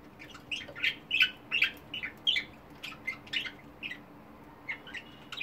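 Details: Pet budgies, multicoloured, chatter in fast runs of buzzy chirps and squawks, several notes per second, easing toward the end; faint hum underneath.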